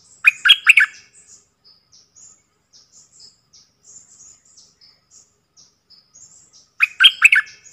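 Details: Four decoy bulbuls calling: two loud, harsh, chattering bursts at the start and end, with soft, high, thin chirps scattered between them.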